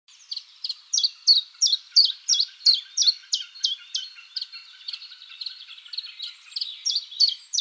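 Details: Common chiffchaff (Phylloscopus collybita) singing its spring mating song in a forest: a steady series of sharp, high alternating chiff-chaff notes, about three per second for the whole stretch, with faint low twittering from other birds beneath.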